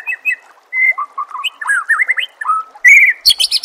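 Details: White-rumped shama song for training contest birds: varied fluty whistles, rising and falling slurs and warbled notes, ending in a loud sweep and rapid harsh chatter.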